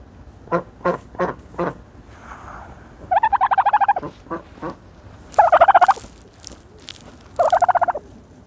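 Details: Dust-bathing turkey giving several short clucks, then three rapid rattling gobbles, each about three quarters of a second long, spaced a couple of seconds apart.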